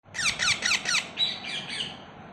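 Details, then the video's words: Baby parrots chirping: four quick, loud, high descending chirps in a fast row, followed by softer, thinner whistled notes trailing off. "Baby parrots chirping"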